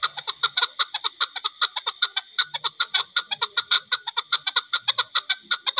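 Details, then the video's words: An older captive chukar partridge gives a long, unbroken run of harsh, clucking 'chuk' notes, about four a second, in a steady chattering rhythm. "old partridge sound / chakor ki ek lambi awaz"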